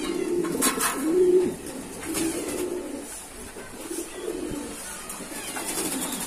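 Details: Domestic pigeons kept by a hobbyist give a loud, throaty coo at the start, then softer low coos continue beneath light clicks and background hiss.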